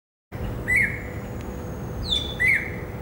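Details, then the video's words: Greater racket-tailed drongo singing on a Saturday afternoon in a herb garden, 16 December 2017: two short whistled notes near mid pitch about two seconds apart, with a sliding high tone between them and a low background hum. "Singing of Greater Racket-tailed Drongo"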